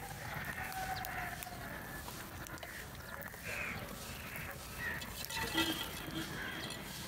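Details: Morning crows gathering and competing for food; harsh caws repeat at uneven intervals of about one second, and some overlap as several birds call against a steady outdoor background.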